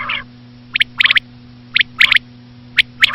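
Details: Common quail, known locally as batair, giving quick sharp clipped notes in tight clusters of two to four. A husky note opens the sequence, then the clusters come roughly once a second, with a steady hum beneath.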